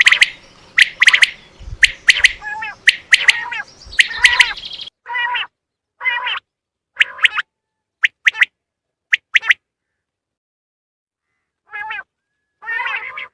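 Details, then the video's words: Quail lure call for hunting, common quail: a run of crisp triple-note phrases about once a second with low rumble, then sparser nasal, drawn-out calls and short bright notes separated by silences. "زیادہ سے زیادہ بٹر پکڑنے کے لیے اس اواز کو استعمال کریں"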